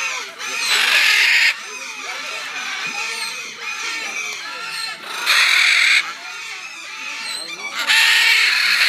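A macaw gives three loud, harsh, raspy screeches about every three seconds, with softer grating chatter and mutters in between.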